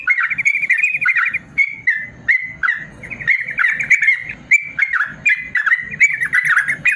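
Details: Long 'ropel panjang' song of a yellow-vented bulbul, a tutor recording for caged birds slow to sing: a fast trilled burst at the start, then a string of bright, warbling, down-slurred phrases with a faint low hum.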